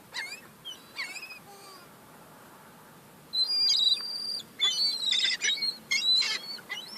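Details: Young gulls fighting over crumbs, giving thin high squeals and short rising whistles in scattered bursts, with a louder run of overlapping shrill cries in the second half.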